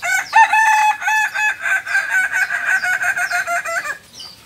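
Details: Kukuak Balenggek rooster with red biriang colouring, from Solok, crowing: one long, loud, harmonic crow broken into many quick stepped syllables lasting about four seconds, followed by faint high chirps from small birds.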